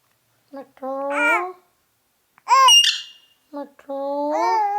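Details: Ring-necked parakeet talking in a run of three speech-like phrases, each a stack of wavering harmonics, the middle one sharper and higher, with short gaps between them.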